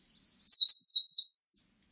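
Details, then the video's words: Single song phrase of an Eastern crowned warbler, archived by a national biological resources institute in 2020, with a few high clipped notes leading into a longer rasping, slightly rising buzz lasting roughly a second, no other sounds. "산솔새, 여러번 듣기, 곤충소리, 새소리"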